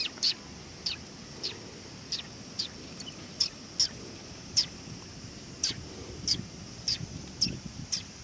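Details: Sparrows visiting for food at a Tenmangu shrine, 18 August 2020: short high chirps repeated fairly evenly, about every half second to second, throughout, with light background hiss.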